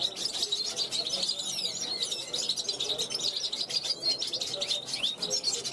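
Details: European goldfinch hatched in 2021, on a balcony calling out to wild goldfinches passing by; a fast jumble of high chirps, rising slurred notes and buzzy trills, flowing without breaks.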